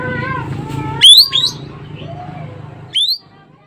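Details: Sumatran Asian glossy starling with a sharp, vigorous voice: a piercing upswept whistle followed by a softer echoing note, then another shrill rising whistle after a pause, over low hum and soft sliding tones.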